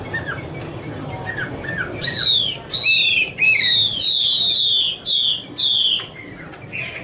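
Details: Female Chinese hwamei in 'te' style with a male bird singing behind: soft, low, curling notes first, then a run of loud, high, downslurred whistles repeated in quick succession, ending with a short rising note.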